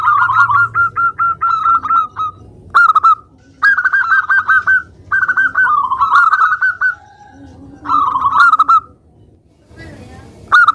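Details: Zebra dove of local stock singing continuously as a lure for other doves: strings of short clipped coos running into rolling, warbling trills, phrases repeated in quick succession with a quieter gap near the end.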